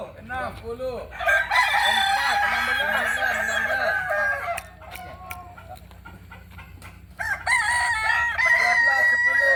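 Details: Kokok Balenggek rooster of Solok, West Sumatra, delivers a long multi-syllable crow of about three seconds, pauses, then crows again, with repeated arching lower notes running under the first phrase.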